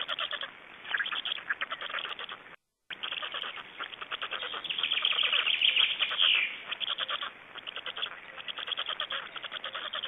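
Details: Black storks in Estonia at the nest during feeding, 26 May 2012: dense, rapid, hoarse chattering pulses repeated over two times a second, swelling into a louder run midway, with a brief dropout near the start.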